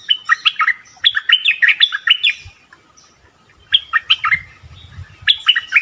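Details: Bulbul sounds for luring bulbuls: phrases of lively warbled chirps rising and falling, repeated after a pause, with faint low rumbling in the background.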